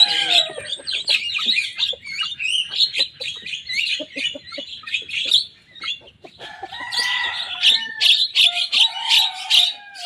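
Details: Young Javan myna singing nonstop and imitating rivals' songs: rapid, scratchy chatter for about six seconds, a short pause, then harsher rasping phrases over a lower, steady whistled tone.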